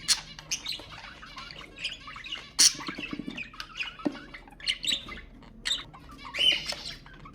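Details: Budgerigar chatter for stimulating budgies: busy mix of soft warbles, clicks and sharp chirps, with one louder squawk and a brief whistled note late on.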